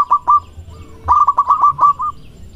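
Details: Male zebra dove of a local type courting with a big voice: two separate coos, then a fast rolling string of about seven bubbling notes.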